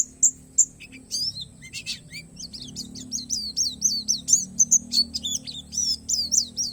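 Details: Oriental white-eye of the palas Borneo type giving an 'isian alam' song: a few sharp opening notes, then a steady series of high, bright, hooked chirps, over a low background rumble.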